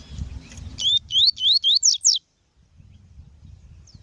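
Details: Female Double-collared seedeater calling, used to train and warm up males: about six quick high notes in under one and a half seconds, first arched, then upslurred, the last two steep downward sweeps, with low rumbling noise before and after.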